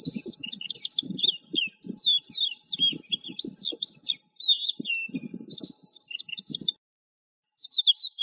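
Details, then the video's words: Lark pouring out varied high notes: chirps, slurred whistles and a brief buzzy trill, broken by short gaps, with dull low knocking in the background. "تغريد طائر قبرة الحقول(القوبع) Chant de Alouette des champs"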